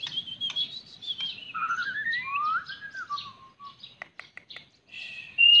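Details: Warbling song of a white-rumped shama, with long descending whistled glides followed by a series of short, sharp ticking notes and a final high whistle.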